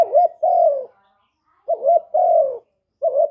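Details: Spotted dove cooing for stimulating males, recorded clean: low hollow coos, each a short upturned note tied to a longer sliding-down note, two full phrases then the start of a third.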